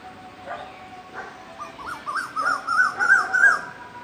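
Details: Common cuckoo giving a quick, bubbling run of wavering mid-pitched notes that swells in loudness for about two seconds, after a couple of faint lower notes, then suddenly falls silent mid-call.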